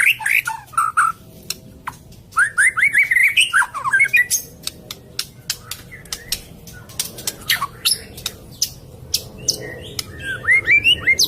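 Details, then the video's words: White-rumped shama song used to prompt a reluctant bird after moulting: varied whistled phrases with quick rising and falling slurs, interspersed with sharp clicking ticks and scattered high notes. "suara burung murai batu ,pancingan murai batu males bunyi, macet, beres mabung"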